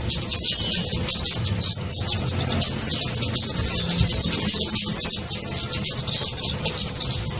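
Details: Lure call of the Kemade for trapping small birds: busy, high-pitched twittering made of rapid hooked chirps strung close together with hardly a pause, over faint low background noise.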